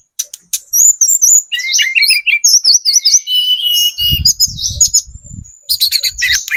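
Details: Lure song of a speckled Sunda robin, lively and varied: high clear whistled phrases, wavering slurred notes, a long steady high tone and buzzy bursts, with low rumbling handling noise in the middle.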